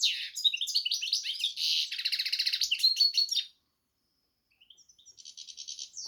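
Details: Goldfinch and canary hybrid singing a fast, high twittering run of buzzy trills and bright warbled notes for over three seconds, a pause, then a softer rattling trill returns.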